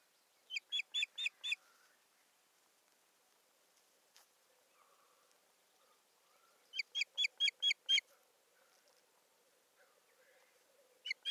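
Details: Osprey at its Satakunta nest in Finland, 7 May 2019, bringing a stick and fussing about; two rapid series of bright, piping whistled notes, five and then six, separated by several seconds of quiet, another call starting at the close.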